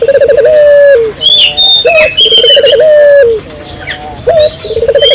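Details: Barbary dove in energetic calling, played to stimulate local doves to call: a low cooing phrase of quick stuttered pulses then a long steady drawn note, given twice, with small birds chirping and whistling above.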